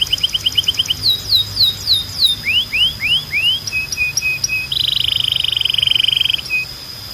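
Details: Belgian canary training song: clipped high notes, descending swoops, rising slurs, a few spaced chips and a long buzzy rolling trill, all clean and loud.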